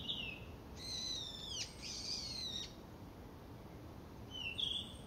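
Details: Goshawk, a bird of prey listed as an endangered natural monument, giving drawn-out, descending squealing cries with layered harmonics, two long calls in a row followed by a shorter note, against steady background hiss.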